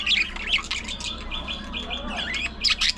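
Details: Budgerigars kept in an aviary colony giving sharp squawks and chirps, then a run of short, even whistled notes at one pitch, followed by more scratchy chatter.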